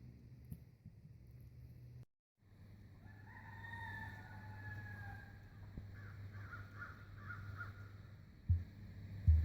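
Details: A female emu drums, a deep, steady low rumble with soft pulses that can carry a long distance. A rooster-like crow rises and wavers in the background midway.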